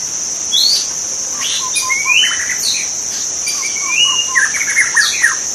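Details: Wild white-rumped shama singing in its natural habitat: varied clear whistled phrases, some rising, others sliding down, with short lower notes between, over a steady high insect drone throughout.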